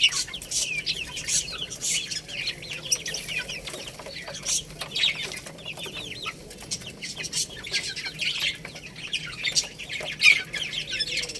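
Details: Baby chickens feeding on rice, steady chorus of short high peeps, many downward-sliding chirps repeating quickly throughout, with pecking clicks and soft hum.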